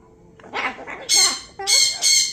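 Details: Pet umbrella cockatoo, reacting to a ringing phone it has heard or woken by it, gives soft chattering sounds, then three loud, harsh, grating screeches in quick succession over about a second.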